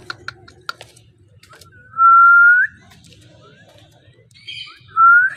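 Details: Parrot whistling indoors after several dry clicks: a long, flat, pure tone bending upward at its end, a short squeaky burst, then a second rising whistle.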